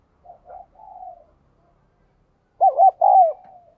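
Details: A spotted dove with a fine 'đồng kim' voice coos to encourage newly caught doves: quiet breathy notes, a pause, then two strong rounded coos ending in a long falling tail.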